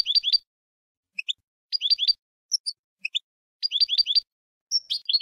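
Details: Jilguero, or European goldfinch, contest song: short bursts of three or four rising twittering notes repeated roughly every two seconds, separated by single chips and brief high whistles.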